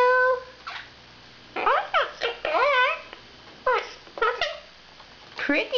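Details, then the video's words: Talkative 5-year-old male quaker parrot babbling in the bottom of a spare cage, with short voice-like bursts of rising and falling syllables. Learned words like "pretty bird" and "I love you" are separated by quiet pauses in a small room. "PRETTY BIRD"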